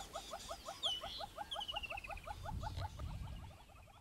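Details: Southern yellow-billed hornbill in Kruger Park, South Africa, giving a fast, steady run of hollow clucking notes, about five a second; a thin whistled trill from another bird and a low rumble are also heard.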